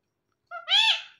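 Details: A talking parrot from a male and female pair speaks one word in a human-like voice: a brief low opening sound, then a stronger harmonic syllable that fades out, with silence before it.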